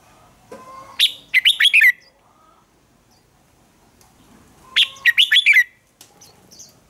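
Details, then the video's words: Red-whiskered bulbul singing a contest song used to spur rival birds into singing: two short, bright, warbled phrases of quick rising and falling notes, about four seconds apart, with quiet pauses between. "Chào mào đấu kích chim nhanh căng lửa | kích chào mào ức chế sổ giọng hót đấu sáng"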